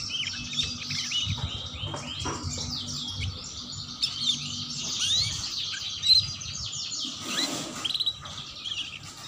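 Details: Ngeriwik chirping of a canary, played to coax young birds into song: a steady stream of high, quick twitters and short sliding notes, with a few bright piercing peaks and a faint low hum beneath.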